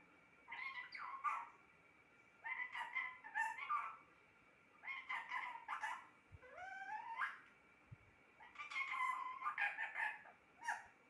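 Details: Talking pet parrot uttering several phrases of raspy, speech-like syllables, one with a clear upward-sliding whistle-like tone, spaced by brief pauses; a few soft knocks and a steady low hum are also heard.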